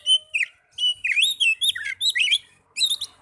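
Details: Oriental magpie-robin lure song for encouraging caged birds to sing: a sharp high note, then quick rolling whistled phrases that rise and dip in pitch, closing with a brief twitter after a short pause.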